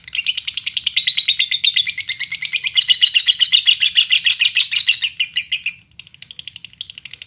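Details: Lovebird in Indonesia, singing to coax other lovebirds into song: a long run of rapid, loud, shrill chatter with wavering high notes, dropping off near six seconds into softer fast chirping.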